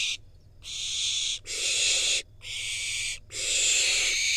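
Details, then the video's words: Wild barn owl fledgling in Israel receiving a rodent delivered by its parents, then eating it: loud, broad rasping hisses, each lasting about a second, repeated four times with brief silent gaps. "Barn owl fledgling get delivered rodent from parents and then eats it."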